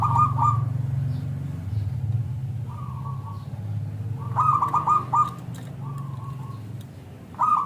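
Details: Local zebra dove cooing to lure other zebra doves into replying: short bursts of rapid, rolling coos separated by pauses, partly masked by a low droning hum and background noise.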